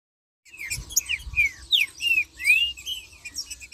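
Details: Green-winged saltator (trinca-ferro) singing in the marcheando style: a run of loud, clear, slurred whistles, each sweeping up or down, delivered in quick succession, with faint higher chirps behind.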